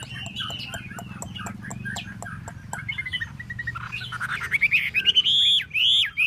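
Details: Chinese hwamei dancing with its tail spread. A quieter opening of soft warbles and clicking ticks builds into loud, pure whistles that rise and fall over the last two seconds.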